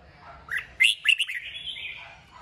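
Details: Red-whiskered bulbul stimulated to sing: a short bright phrase of quick rising and falling whistled notes, loud in the middle, trailing into a slurred warble, with faint low background hum.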